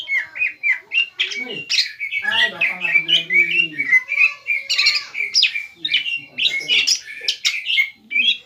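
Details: Provocative song of a greater green leafbird meant to stir a rival to reply: dense, continuous chattering warble mixing whistles, trills and harsh notes, with a stretch of lower rattling harmonics in the middle and barely any pauses.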